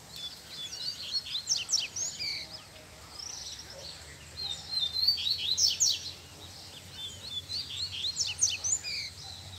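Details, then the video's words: Male Double-collared seedeater singing in the bush, with repeated bursts of rapid, high, buzzy twittering and slurred notes with short pauses between them, against low background noise. "Coleiro Braddock Solta o Canto no Mato!!!"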